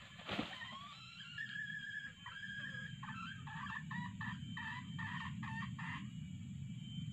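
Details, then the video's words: Red junglefowl during trapping with a male decoy plus female calls: a sharp knock, then a long rising note leading into a run of short, evenly spaced crowing syllables over low rumbling background noise. "Mikat ayam pakek pikat jantan+suara btina"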